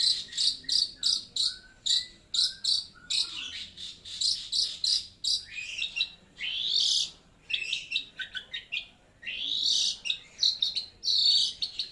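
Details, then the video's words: Long-tailed shrike with a loud, clear voice: rapid series of high chattering notes, then harsher rising buzzy phrases and varied sharp chirps, delivered in energetic bursts. "Suaranya keras dan lantang"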